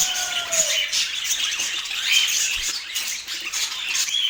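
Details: Busy budgerigar chatter recorded in Portland: high, overlapping chirps and raspy squawks. A faint lower, falling tone appears during the first second, then only the bright chatter continues.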